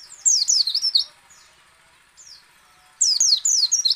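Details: Shrill, rapid twittering bursts from a white-eye used to coax others into singing, a quick run of high wavering notes, a pause with soft chirps, then another fast scratchy burst.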